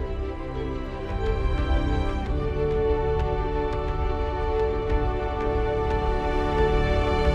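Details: Slow, sustained instrumental music with soft tones and light percussive accents, and no animal voices.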